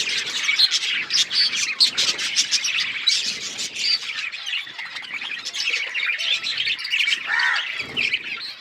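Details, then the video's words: Continuous budgie chatter from several birds: high warbling chirps and rasping squawks, overlapping throughout, with a brief lower squawk near the end. "Beautiful budgies parrot chirping sounds"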